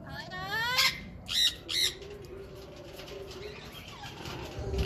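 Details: Talkative pet African grey: a smooth falling whistle, then three loud harsh squawks in quick succession, followed by a softer, low whistle over a steady background hum.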